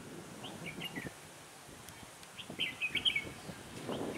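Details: Decoy red-whiskered bulbul during trapping on a windy, cold 16 December 2017 delivers two short chirpy whistled phrases, the second brighter and more rapid, over background rustling.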